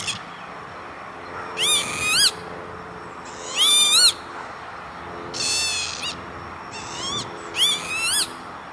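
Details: Northern lapwing near Veenendaal, the Netherlands, 28 May 2013, repeating five rasping, rising-falling calls at irregular intervals of one to two seconds over quiet background noise.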